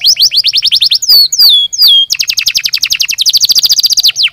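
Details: Canary singing, used to encourage singing: a quick high trill, three swooping down-slurred whistles, then a long, very rapid trill of repeated notes ending in one falling note.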